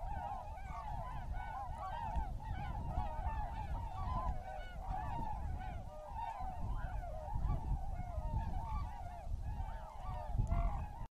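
A large flock of tundra swans gives a constant overlapping chorus of high, mellow, yelping whoops, with a steady low rumble of wind underneath.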